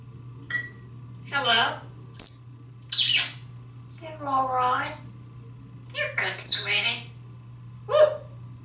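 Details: Talkative pet male African grey parrot in a Texas home, after a shower: a string of speech-like phrases, squawks and short bright whistles in irregular bursts over about eight seconds, with a continuous low hum.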